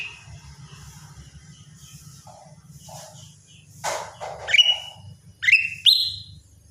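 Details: Lesser green leafbird at morning: soft scattered notes and a sharp clattering burst, then three loud whistles that each sweep up and hold a steady tone, over a low background hum.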